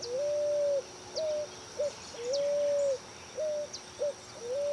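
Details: Pigeon or cuckoo calling in 2018: long steady whistles alternating with short higher whistles and clipped notes, repeating in a regular long-short-short pattern over a quiet hiss.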